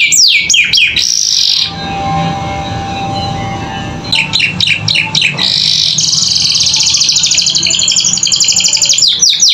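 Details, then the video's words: Chattering canary training song recorded as tutor audio for captive birds learning sounds: rapid falling whistled sweeps, a two-second lull with low background hum, then more sweeps leading into a long, buzzy, high rolling trill. "Masteran Kenari Gacor Isian Cocok Buat Paud Belajar Bunyi"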